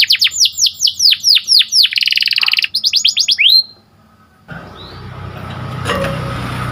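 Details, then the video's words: Canary singing in the morning: a quick series of downslurred whistles, a brief buzzy trill, more slurred notes, then the song stops and only background noise remains. "Suaranya Merdu Dan Lincah Nyanyian Burung Kenari Dipagi Hari"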